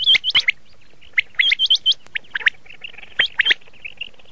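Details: Quick doubled and tripled rising whistles from red shade common quail, followed by scattered softer chirps and a short click.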